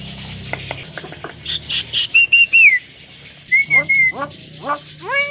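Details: Javan myna song meant to provoke other birds: clear level whistles, then several sharply falling notes and rising upslurred whistles, with faint clicks before them and a quiet background.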